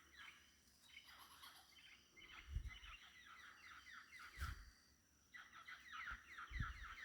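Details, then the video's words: Wild birds calling at dawn, around 6 AM, in Tikal National Park in January 2025: bursts of rapid, chattering notes that repeat and echo through the forest, with a few low thumps underneath. "Echoing bird calls at 6:00AM"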